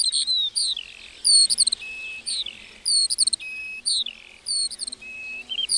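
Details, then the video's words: Lark song in a meadow: sharp, high whistled notes, some sliding downward, mixed with brief twittering bursts. Phrases come in spaced groups over a soft background hiss. "Singing lark in the meadow"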